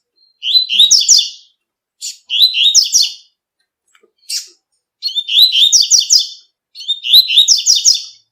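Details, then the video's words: Double-collared seedeater singing the tui tui song style in nature: bright, buzzy, warbling phrases about a second long, each built from quick stacked notes, repeated with short pauses, with a few brief single notes between them. "COLEIRO TUI TUI CANTANDO NA NATUREZA"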